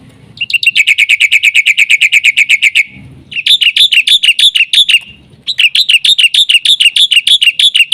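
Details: Black-winged myna singing vigorously as a lure for training other mynas: rapid series of harsh, buzzy chattering notes, about two per second, in three bursts separated by short pauses, with faint low rumbles between bursts.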